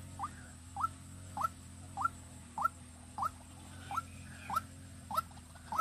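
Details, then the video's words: Decoy White-breasted waterhen used to lure birds in Vĩnh Long, Vietnam, giving clear, evenly spaced rising notes, about ten in a row, nearly two per second, over a constant low mechanical hum. "Đam Mê Quốc Mồi Vĩnh Long"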